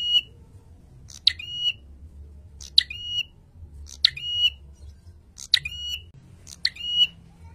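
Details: Prinia training recording for birdkeepers, said to make male prinias angry: a sharp, buzzy, harmonic burst dropping into a short, steady, squawky note, repeated about every 1.3 seconds, five times, over a low background hum.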